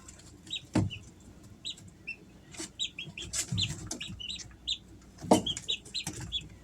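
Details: Easter Egger chicks, three weeks old, kept at home: scattered short high peeps, some in quick pairs, broken by a few dull thumps and soft rustling.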